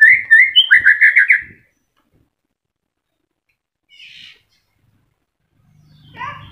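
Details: White-rumped shama in moult, a kept bird still in voice, used as a lure song for silent shamas: a short burst of whistles and rapid chattered notes, then quiet with a faint scratchy sound and low rumble.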